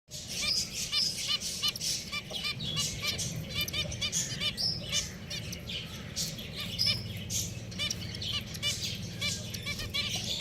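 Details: Pet finches calling together, a dense run of short, high chirps and clicks repeated rapidly throughout, several birds overlapping, with a low background hum.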